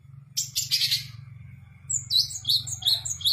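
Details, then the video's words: Long-tailed shrike's lively song of mimicked fill-ins: a harsh scratchy burst, then a series of thin, high, upslurred whistled notes, over a steady low hum. "cendet gacor full tembakan 🔥 isian"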